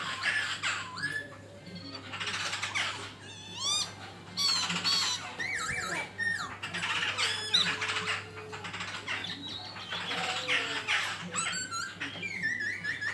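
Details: Fighting song of a black-throated laughingthrush. Dense bursts of sweeping whistles and chattering notes come in irregular clusters over a steady low hum.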